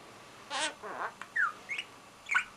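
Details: Lutino budgerigar, a very chatty talking family pet, chatters in raspy, word-like bursts mixed with quick whistled chirps.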